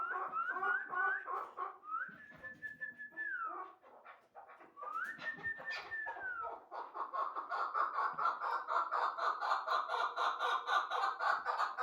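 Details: Hybrid chukar partridge giving rhythmic clucking notes mixed with drawn-out level tones, then a long fast run of repeated chattering pulses.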